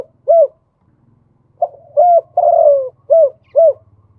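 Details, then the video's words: Singing male spotted dove in khu ang style with a double khan yon ending. A lone coo is followed by a pause, then a soft lead note, a coo, a long drawn falling coo and two quick coos, over a steady low hum. ""มาชม คูอ่าง ขันโยน2กุก" พ่อนกคูอ่าง ภาพเสียงชัด"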